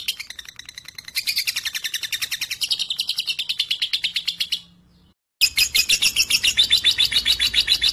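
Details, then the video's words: Lovebird marked 3.5, said to boldly 'trek' alongside adult birds and suited as a tutor bird for others; rapid dry chirps repeat about three to four times a second, pause briefly near five seconds, then resume louder. "Lovebird 3.5 🌒 berani trek dengan dewasa dan Cocok buat masteran"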